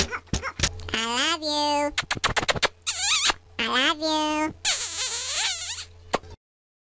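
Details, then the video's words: A talking bird saying "I love you" and making kissing sounds: clear, speech-like harmonic phrases with sliding pitch, broken up by sharp clicks and smacks, with a faint steady hum underneath. "The 'I Love You' bird"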